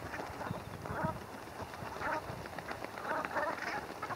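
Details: Brent geese bathing and preening at Heybridge Basin, Essex: short, hoarse, nasal calls in scattered bursts from several birds, with a steady background rumble and splashing.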